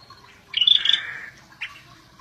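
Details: Singing scaly-breasted bulbul in 'gacor' style gives one rich, warbling phrase of sharp high whistles sliding down into a fuller tone, then a single short chirp.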